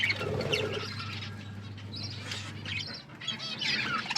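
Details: Several pet budgerigars chirping as they eat; irregular high twittering notes and brief warbled phrases, a low muffled sound early on, and a constant low hum under most of the recording.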